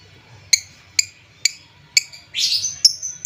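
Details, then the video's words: Lure call of a lovebird, played to stir sluggish lovebirds: short sharp chirps about every half second, then a rough buzzy chatter and thin whistled high notes. "Suara pancingan lovebird, menaikan emosi lovebird Bahan/Antau kurang aktif"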